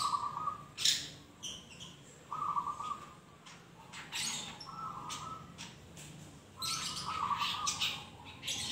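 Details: Long-tailed shrike, a young bird still learning its song, makes scattered scratchy bursts and sharp snaps separated by steady, buzzy mid-pitched notes held for about half a second, with quieter gaps between.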